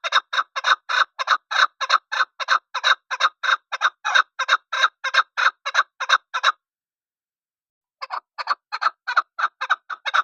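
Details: Chukar partridge repeating loud, harsh chuck notes in a fast regular series for several seconds. Silence follows, then a second burst of the same rhythmic clucking.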